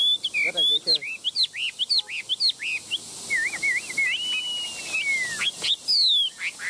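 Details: Chinese hwamei held in the hand, singing a loud, varied run of clear whistled phrases: quick slurred notes, rising and falling, then a long descending whistle.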